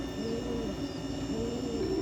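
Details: A caught pigeon cooing: low, soft, hummed notes with faint upper harmonics, drawn out in two phrases over two seconds, above a steady broadband hiss and faint high tones.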